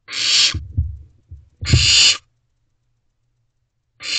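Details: Barn owl chick in Owl Box C, 15 May 2023 at 2:55 am, calling to its parents for food: three harsh, breathy screeches, the first two separated by low rustling thumps.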